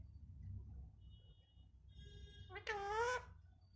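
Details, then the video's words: Pet talking parrot asking for roti: after a quiet stretch with faint tones, one loud nasal harmonic squawk-like word lasting about half a second, in a small indoor room with low background hum. "bolne wala tota"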